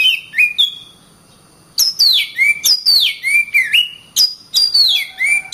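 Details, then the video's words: Kacer, or Oriental magpie-robin, singing for masteran training of other birds: two short whistles, a second of quiet, then a fast run of sharp-edged notes, each slurring steeply downward, repeated about twice a second. "Burung Kacer"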